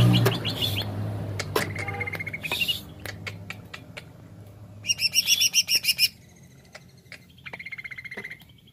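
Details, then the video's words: Greater green leafbird (cucak ijo) giving jamtrok wik wik song: scattered sharp ticks and a rising whistle, then a loud, rapid, rattling trill of high notes for about a second, ending in a thinner buzzy trill; low rumble early on. "CUCAK IJO JAMTROK WIK WIK"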